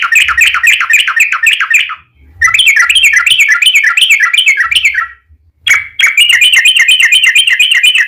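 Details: Long rattling 'ropel panjang' song of a yellow-vented bulbul, a lure recording to set other bulbuls singing; extended rapid trills of bubbly slurred notes run for seconds, separated by two short pauses.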